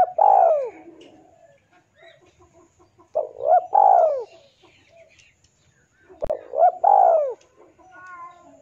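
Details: Male spotted dove challenging a rival, recorded for use as a lure. Its three-part coo phrase comes three times, roughly every three seconds, each ending in a long falling note. Faint thin chirps fill the gaps, with a sharp click once.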